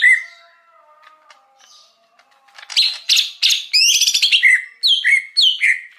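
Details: Wild Greater Green Leafbird song used as a lure for wild birds: after faint low notes, loud varied whistled phrases and sweeping slurred notes between mid and high pitch, delivered in rapid bursts, clean background.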